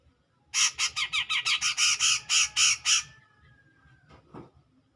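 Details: Grey-cheeked bulbul calling clearly to goad a rival, giving about ten loud, harsh, rasping notes in quick succession over two and a half seconds, followed by a faint thin whistle and a soft distant sound.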